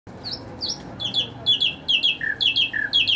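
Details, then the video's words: Nightingale singing: repeated descending whistled notes, some doubled, roughly four per second, then lower slurred phrases near the end, over a faint background hum. "Nightingale bird Singing|ہزار داستان بلبل|عندلیب بلبل"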